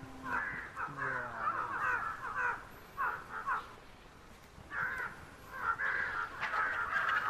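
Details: A Himalayan vulture at the Beas River, Mandi, Himachal Pradesh, India, 14 February 2016 around 2:30 PM, gives harsh, hoarse cackling bursts in quick runs, a brief lull midway, then more raspy chatter.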